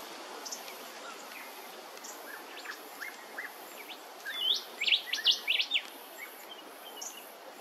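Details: Red-browed finches at Hervey Bay, Queensland: scattered faint chirps, then a denser burst of high, sharp upslurred notes in the middle, fading to occasional single chirps over soft background noise.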